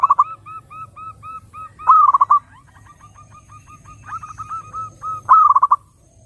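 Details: Song of a zebra dove, meant to draw other doves in: a steady series of soft, evenly repeated coo notes broken by two loud, rapid stuttering coo bursts, over a quiet low-pitched background hum.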